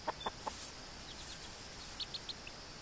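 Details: Australorp mother hen with four chicks on their first day out, teaching them to find food; three low, short clucks in quick succession, then a few thin, high chick peeps about two seconds later.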